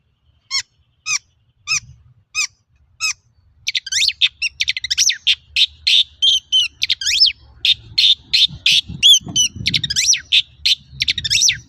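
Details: Long-tailed shrike in full song (gacor), used as a lure to get untrained shrikes singing. Several spaced, sharp down-slurred whistles, then a dense, fast twittering chatter of varied high notes over a faint low rumble.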